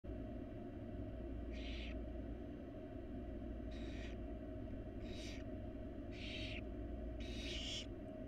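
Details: Wild barn owl chicks in a monitored nest box begging while their mother feeds them: five harsh, breathy hissing bursts, each about half a second, spaced roughly one second apart over a steady low hum.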